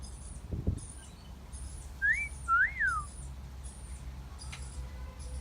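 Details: Garden parrot producing one wolf whistle, a brief rising note followed by an arched rise-and-fall slide, with a low thump beforehand and soft background hiss.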